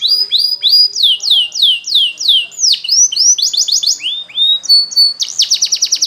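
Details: Canary singing for training: rising whistled notes, then a run of loud downward-sweeping slurs about three per second, followed by rapid rattling rolls and a final fast buzzy trill.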